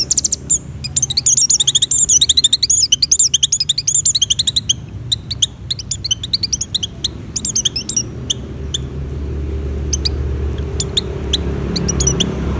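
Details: Oriental white-eye in breeding condition, used to lure other white-eyes: a fast burst of high twittering notes for about five seconds, then sparse sharp chips while a low hum grows louder toward the end.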